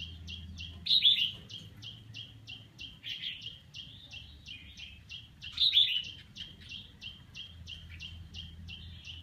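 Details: Red-whiskered bulbul practising its song: two loud, short warbled phrases about five seconds apart over a steady series of quick high ticks, with a low hum beneath.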